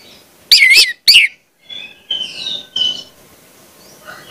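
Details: Orange-headed thrush singing as a training lure for young birds: two loud, warbled high notes in quick succession, then softer, drawn-out whistles trailing off.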